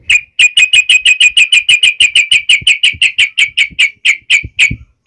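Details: Fighting song of a yellow-vented bulbul, uplik ropel style, used to make other bulbuls reply: a long unbroken run of sharp, identical high chips, roughly three per second, ending with one lower note.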